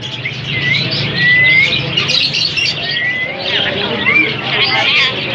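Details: Talking parrot producing clear whistled notes, some gliding upward, mixed with chirps and speech-like chatter, while a person talks nearby.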